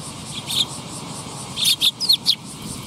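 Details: Sparrows coming to be fed at Tenmangu shrine on 22 August 2021: short, sharp high chirps, one near the start, then a quick burst of four in the second half, over a low steady background hum.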